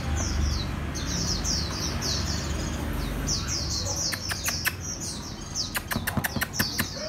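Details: Red-whiskered bulbul practising eating cricket abdomens, giving runs of high, thin sliding chirps in bursts, followed by a series of sharp clicks or taps in the second half over low background rumble.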